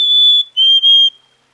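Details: Black-capped Chickadee, whose calls and songs serve communication and individual identification, giving one sustained pure whistled note followed by a slightly lower note split into two parts, clean and close with no other sounds.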